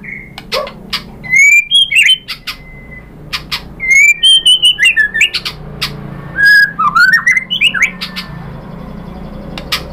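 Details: Murai batu lure song aimed at making another shama sing; clear slurred whistles in several phrases, mixed with sharp clicks and brief pauses between phrases.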